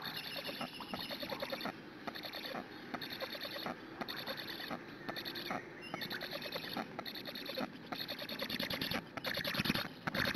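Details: Black stork nestlings on a nest in Hungary, filmed by a live nest camera on a June morning, beg for a long time before a parent arrives to feed. The calls are dense, rapid, squeaky chattering pulses, continuous and overlapping, with a faint steady hiss.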